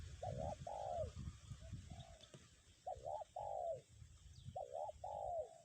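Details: In strong wind, a spotted dove decoy gives its kuk 1 call. Phrases of a doubled hooked coo plus one drawn-out descending coo repeat about every one and a half seconds over faint wind.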